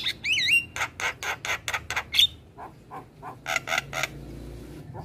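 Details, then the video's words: Javan myna, a very vocal bird, in a tutor recording played every morning to train untrained mynas: harsh rasping bursts repeated rapidly, with a looping whistled note early and a sharp whistle near the middle, over a low background hum. "Masteran Jalak kebo Super Gacor Rutin Putarkan Setiap pagi Untuk Jalak Kebo Bahan"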